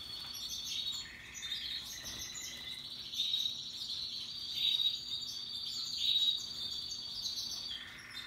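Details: Happy singing from Russian yellow and Timbrado canaries amid other birds in natural habitat: sustained buzzy rolling trills, clear whistled notes every second or so, and a lower trill at the end.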